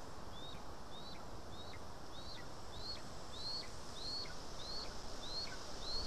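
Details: Lesser spotted eagle at its nest in Estonia on 2 August 2020, during a day of being fed voles. Thin, high whistled notes rise and then drop, repeated steadily about every half second over a quiet rural background.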